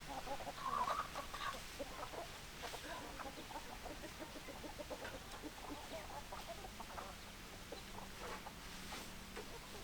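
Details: Chickens, a flock of hens, clucking in a steady stream of short, dry notes, with one louder squawk near the start and a low continuous hum underneath.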